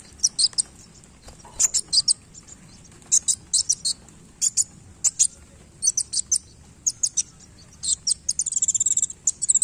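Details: Sunbird singing while flicking its tail; sharp, very high chirps in short clusters of two or three, scattered irregularly, ending in a quick, dense twittering burst.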